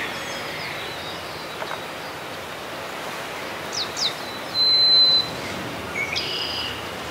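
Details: Harris's sparrow singing at Grant Park, South Milwaukee, Wisconsin, on 14 May 2016: a clear, pure whistle held about half a second, then a lower whistled note, over a steady outdoor hiss with a few faint chips.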